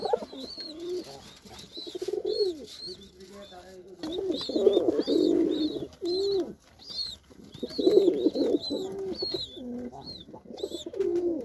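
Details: Indian white Lokkha pigeon gives deep, rolling coos that rise and fall in bursts every few seconds, while small birds chirp thinly and repeatedly in the background.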